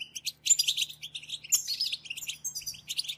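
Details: European goldfinches in a group batbata stimulation song. Lively nonstop twittering of high tinkling and buzzy notes with quick trills, a faint low hum running underneath.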